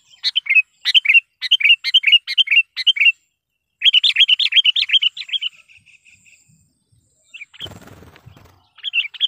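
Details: Lively trained sooty-headed bulbul used as a lure, pouring out rapid chirped phrases, then a longer fast bubbling run of notes fading away, a brief rustle, and a final phrase.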